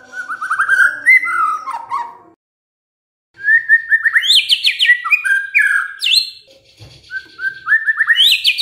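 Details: White-rumped shama song used to provoke other birds to sing: fast rolling whistled trills, a pause of about a second, then varied loud phrases with rising sweeps and high piercing notes.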